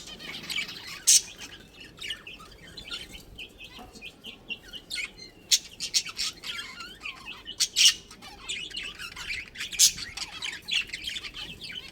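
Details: Pet budgerigar colony with a breeding pair, producing steady warbling chatter of short chirps and twitters, punctuated by sharper loud chirps at intervals of a few seconds.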